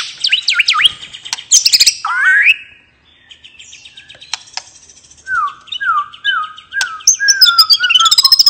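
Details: White-rumped shama in relaxed 'ngeplong' song style, used to prompt silent birds to sing: rich varied whistles and sharp high notes, then a series of five or six downslurred whistles repeated steadily, ending in fast high twittering.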